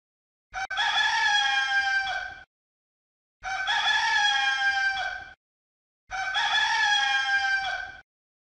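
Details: A rooster crowing three times, each crow a loud, harsh, drawn-out cry of nearly two seconds, the crows spaced about three seconds apart with silence between.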